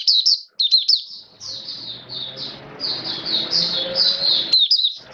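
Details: High, fast chirps opening into a sustained, dense warbling stream from an Oriental white-eye kept in the bird hobby, rainy weather, with a low background hum.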